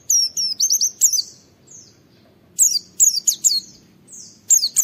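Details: Oriental white-eye in full song, kept to stimulate other white-eyes into singing: bursts of thin, very high twittering notes and quick rising chirps, separated by brief quiet gaps.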